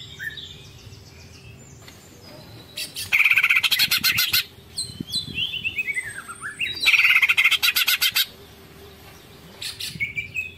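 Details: Greater green leafbird (cucak ijo) singing a long ngekek chatter in full tengkek style: varied whistles, then two loud bursts of rapid buzzy repeated notes around three and seven seconds, with a descending whistled series between them.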